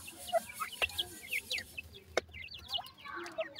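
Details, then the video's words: Feeding grey francolin chicks utter quick high chirps and slurred peeps in rapid scattered series, some louder notes standing out, with a couple of sharp knocks. "gora teetar checks feeding,titur checks voice"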